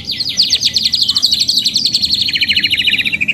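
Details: Canary delivering a fast, high, rolling trill of evenly repeated notes, pulsing several times a second and gently dropping in pitch toward the end.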